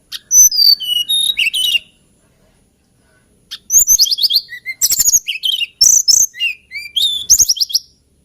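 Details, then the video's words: Hill blue flycatcher (Cyornis banyumas), found on Java and Borneo, sings sweet, high, plaintive warbled phrases of quick falling notes, with a pause of about two seconds before the next bursts. "TLEDEKAN GUNUNG KICAU MERDU"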